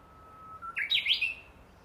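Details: Japanese bush warbler singing on 12 July 2014 in woodland of an imperial tomb behind a house: a long steady whistle, a short rise, then a loud rapid warbled flourish of descending and rising notes.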